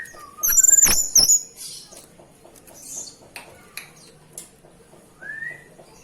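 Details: ['Oriental magpie-robin singing while bathing: a pair of bright high whistled notes with sharp dips near the start, then scattered clicks and splashy ticks and a short rising whistle near the end.']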